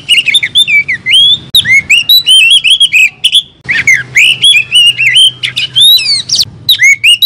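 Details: Young Oriental magpie-robin sings a rapid, varied run of clear whistles, sweeping up and down in short bright phrases, over a faint low hum.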